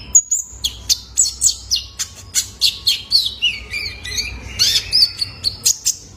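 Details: Young male kolibri ninja, the Ruby-cheeked Sunbird, as a lure for cage birds: one clear high whistle, then a brisk string of chirps and twittering slurred notes sliding down and up.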